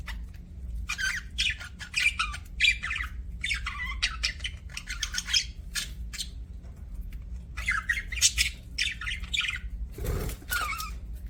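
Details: Budgerigar chirping in busy, chattering bursts of scratchy, warbled notes, broken by short pauses, with one louder rasping squawk near the end over a low background hum.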